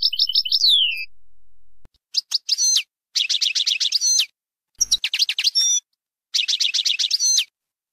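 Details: European goldfinch singing in the Bainam Gazrat style, used for teaching young birds: a high descending twittered phrase, then bursts of rapid, tinkling, buzzy trills, each about a second long and separated by short silences.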